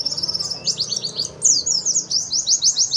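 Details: White-eye (pleci) competition-standard song from 2021, used as a master recording to tutor young birds: rapid high twittering chatter of sharp down-slurred notes, with a brief pause before a louder, denser burst of repeated trills.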